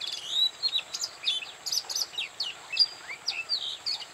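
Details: Oriental magpie-robin song from Bada, North 24 Parganas, India: quick sequence of sweet whistled notes, rising and falling slurs and sharp chips, evenly paced, with light background hiss.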